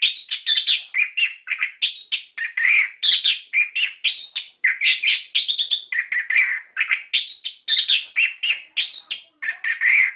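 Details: Orange-headed thrush in continuous rolling song, a lure to prompt captive birds to answer: dense run of varied whistled and warbled notes with barely any pauses, fast and rich.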